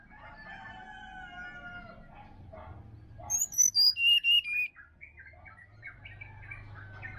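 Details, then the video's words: Sirdadu singing wild in a Bali forest in the morning: a loud run of clear, high whistled notes stepping downward, each note repeated, after softer lower chirps and twittering from other birds, with a faint low hum beneath. "SUARA ASLI HUTAN SRDC BALI"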